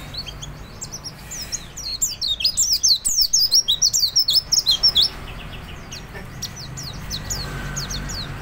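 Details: Chatty kept white-eye singing as a lure to prompt other birds: a sudden two-to-three-second burst of rapid, high, pulsing twitters, then sparse scattered chirps against low background noise.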